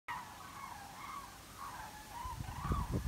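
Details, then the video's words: Common cranes in a flock circling on migration over Altfriedland, a European bird protection area: faint, drawn-out trumpeting calls held steady and overlapping throughout, under steady low rumbling wind or traffic noise that swells toward the end. "Kranichzug Kranichkreisen über Altfriedland"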